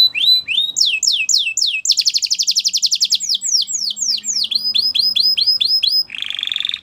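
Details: Belgian canary singing for training, sweeping whistled notes in quick series, a loud fast pulsing trill, more even repeated sweeps, ending in a buzzy roll.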